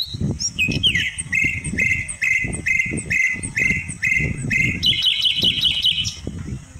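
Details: A pair of cotton pygmy geese give a quick series of sharp, nasal, high notes, about two or three a second, ending in a higher rattle, over low rumbling wind.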